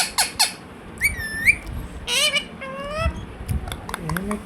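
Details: Pet Indian ringneck parakeet indoors, which says "Hello" and "Mithu Mithu". Short squawks are followed by a rising whistled note and harmonic, voice-like squeaks, then faint low sounds.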